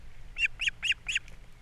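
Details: ['Osprey at a Captiva nest on 3 April 2022, fish brought for breakfast and the chicks fed: four quick, sharp, slightly hoarse chirps in under a second.']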